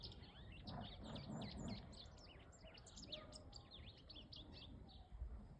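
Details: White-throated seedeater singing at dawn: a rapid, lively run of high, slurred whistled notes, many sweeping up and down, over a steady low background rumble.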